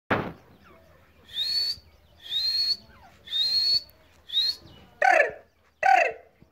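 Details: Grey francolin giving a short series of four clear, rising whistled notes about one second apart, followed by two harsher, broader notes, with a quiet background.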